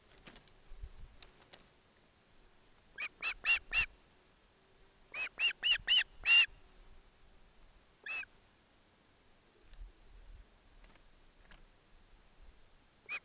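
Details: Ospreys in Barlinek Forest: a chick takes a fish from its father while its mother is present. Bursts of sharp, harmonic whistled calls come in quick runs of three to five, with pauses and some faint clicking between them.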